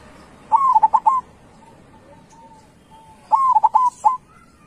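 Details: Caged local zebra dove valued for its big voice gives its cooing song twice, a rising first note then a rapid string of short clipped coos, with low background noise between phrases.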